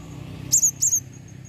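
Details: Calling female blue-crowned hanging parrot giving two quick high, thin squeaky notes, each a sharp chip slurring into a short whistle, against faint low background hum.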